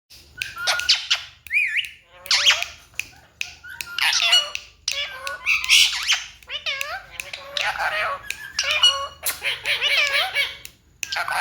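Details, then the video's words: A pet talking parrot (Mittu) talks in harsh, squawky mimicked phrases, short bursts of speech-like syllables with rising and falling tones, separated by brief pauses. "Talking parrot"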